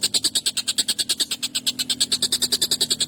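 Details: Excited collared kingfisher in long, sharp, rough calling meant for songbird tutoring: quick regular burst of harsh, high rasping notes, about seven each second, with a faint low hum underneath.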